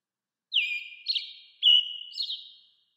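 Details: American robin calling with two drawn-out whistles. Each starts high, slides down, holds level and ends in a brief warble, about a second apart, with silence around them.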